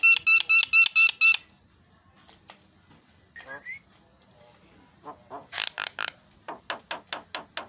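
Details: Javan myna singing a rapid run of six loud harmonic notes, then quieter calls, a burst of harsh broadband notes and a steady train of sharp repeated chips.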